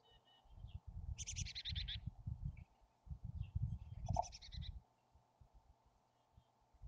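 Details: Wild chickadees at their nest cavity near Emigrant, Montana, in summer: two rapid bursts of high buzzy notes, each about seven to nine notes long, with heavy low rumbling and scraping from movement in the cavity.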